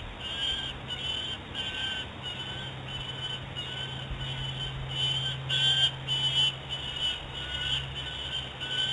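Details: Peregrine Falcon fledglings screeching near the nest in the afternoon, apparently in flight and very distressed; harsh high notes repeat steadily, roughly every 0.6 seconds, over a constant low hum.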